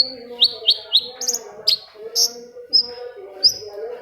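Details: Long-tailed shrike song played to get silent shrikes singing: three quick downslurred chirps, then scattered high whistled notes and sharp clicks, with a low hum throughout.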